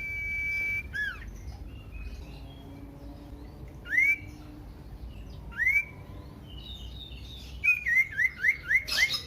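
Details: Common iora song played to provoke other ioras to sing: a long level whistle, scattered rising whistled notes spaced about two seconds apart, then a quick run of five rising-falling whistles.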